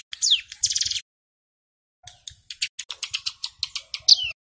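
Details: Loud luring song of a male mountain ciblek (Bar-winged Prinia) meant to anger wild birds: a falling whistle and a buzzy burst, silence, then a fast run of sharp high chips ending in another whistle.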